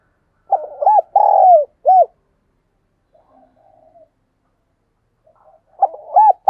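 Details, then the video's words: Decoy dove calling to draw in wild doves: a low cooing phrase of arched notes and a long buzzy note, a near-silent pause with faint soft sounds, then the same phrase starting again. "Chim Cu Mồi Thúc Gù Và GÁY Gọi Bổi Nghe Siêng Gáy"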